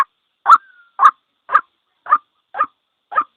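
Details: Ruak-ruak or white-breasted waterhen, single-bird call for bird trapping: seven rough notes about half a second apart, the second followed by a thin sliding whistle.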